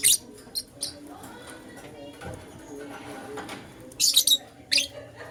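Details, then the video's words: Lutino lovebird chirping in the morning, with loud harsh high notes at the start and a tight cluster of rasping chirps later, over quieter low background sound. "Lutino LoveBird Chirping Sounds"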